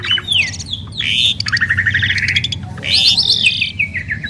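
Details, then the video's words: Duet from a champion pair of caged Asian pied starlings: loud jumbled mix of squawks, whistled downslurs and clicking rattles in bursts, with a steady low rumble of background noise throughout. "Jalak Suren Istimewa | Duet 2 Burung Juara"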